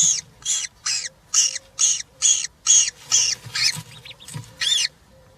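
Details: European roller chicks, three in the nest, being fed, including a giant grasshopper, on a live nest camera on 20 June 2023; about ten harsh, raspy calls repeat roughly twice a second, ending with hoarser, rising notes.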